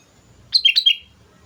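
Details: Sooty-headed bulbul singing energetically as a lure for other birds: one short bubbly phrase of four quick liquid whistled notes, rising and falling, in a quiet background.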